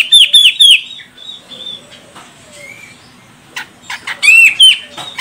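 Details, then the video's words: Female grey-cheeked bulbul, Medan, Sumatra, calling to spur a male to sing; three quick harsh upslurred notes open, faint thin whistles follow, then a loud pair of buzzy notes closes. "Cucak Jenggot Medan Betina Ini Bikin CJM Jantan langsung Koar Koar"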